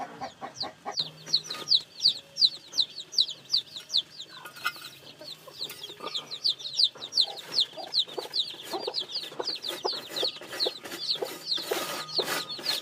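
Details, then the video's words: Continuous high-pitched peeping from newly hatched chicks, many sharp downslurred notes in quick succession, with faint low sounds and occasional clicks underneath. "Âm thanh gà con mới nở kêu, gà kêu, gà gáy"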